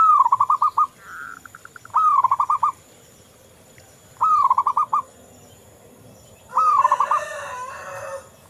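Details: Local zebra dove in full song, used as a lure to encourage other doves to sing. Four phrases, each a rising rolled coo breaking into a quick burst of staccato notes, about two seconds apart, with some faint background noise.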